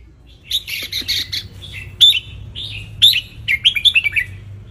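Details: Wild red-whiskered bulbul from Ratchaburi sunbathing, its song played to teach young birds. Busy chattering phrases of bubbly, slurred whistles, followed by clear chirps and a rapid closing flourish of short notes.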